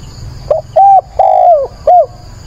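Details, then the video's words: Caged spotted dove used as a decoy, calling at dawn on 22 October to stir up and train wild doves; one clear four-note cooing phrase: short note, steady coo, long slurred falling coo, then a short closing coo. "Cu mồi gáy gọi, bình minh kích bổi luyện bổi"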